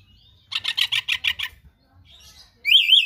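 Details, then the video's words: Oriental magpie-robin's fill-in-rich song: seven rapid, evenly spaced harsh chattering notes, a soft pause, then a loud wavering whistled phrase cut off at the end. "KACER GACOR SPECIAL FULL ISIAN MATERI LANGKA"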